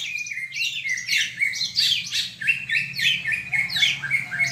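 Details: Greater green leafbird song used as a lure for rivals, heard more distantly: continuous twittering and slurred whistles, somewhat blurred, over a steady low background hum.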